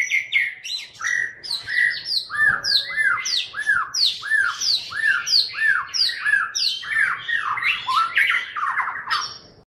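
A White-rumped shama delivers a loud, fast, harsh chattering song: rapid squawky notes mixed with a run of repeated arched whistles, about one and a half per second.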